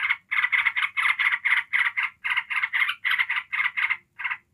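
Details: Yellow-vented bulbul in ngebren ngekek style, delivered nonstop to provoke other bulbuls: rapid harsh chattering notes, about four per second, in a steady run with brief gaps, near the end.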